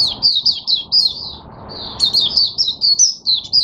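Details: Oriental white-eye kept as a cage bird, singing on 5 May 2022. Rapid high chirping notes come in two runs split by a brief quiet gap.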